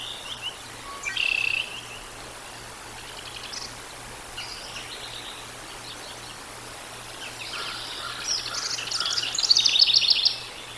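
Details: Decorah North bald eagles on a live nest camera, 13 July 2022, evening; scattered short high chips early on, then a building rapid piping chatter toward the end, over a steady background hiss.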